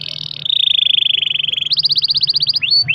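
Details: Canary performing a long roll as a lure for other canaries: sustained fast trill gliding gently downward, switching to a sharper higher pulsed roll, then two quick falling whistles.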